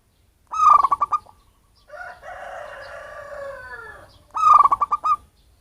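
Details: Wild local zebra dove, from its natural habitat rather than captive-bred, in a recording used to lure birds. It gives two rapid stuttering coo bursts with a long, drawn-out harmonic sound from another animal between them.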